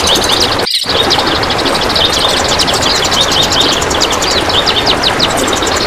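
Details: Cream-vented Bulbul (kapas tembak) in a long masteran recording made to train other birds, singing the dense besetan rapat style: rapid, tightly packed high chattering notes running without pause, heard over a loud, steady rushing hiss.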